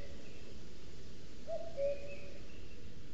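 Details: Male common cuckoo, a summer visitor to the forest in Sierra de Guadarrama National Park, singing all day to claim territory from near a booted eagle nest webcam; one soft two-note cu-coo, second note lower, over steady low background hiss.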